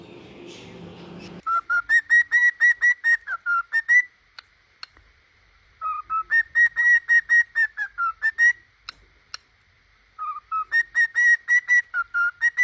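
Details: A pet cockatiel sings, whistling a repeated tune of clear, pulsed notes, the phrase returning every few seconds.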